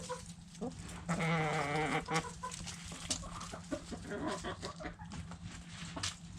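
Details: Backyard hens and roosters at food scraps: a loud, held, harmonic call of about one second early on, followed by quick short clucks and steady pecking clicks.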